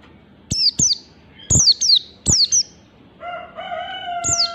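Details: Oriental white-eye, the wild 'ngalas' style, repeats doubled piercing downslurred chirps three times in quick succession; a rooster then crows long and steadily before another chirp.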